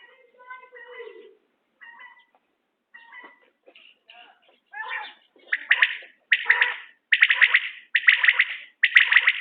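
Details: Common quail in a quail-hunting context; softer, mewing harmonic notes open, then the bird's loud, rapid triple-pulsed calls build and repeat steadily in the second half.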